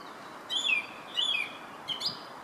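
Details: Herttoniemi song thrush repeating a bright whistled phrase twice, a high note sliding down, then switching to a shorter rising figure; soft background hiss throughout.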